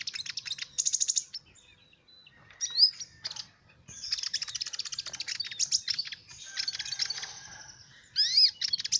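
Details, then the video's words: Song of a sunbird, known locally as kolibri ninja, played to attract small birds: fast high chattering bursts alternate with thin whistled upsweeps and a sustained shrill, buzzy trill, with brief gaps between phrases. "Suara burung Kolibri Ninja Buat Pikat burung Kecil"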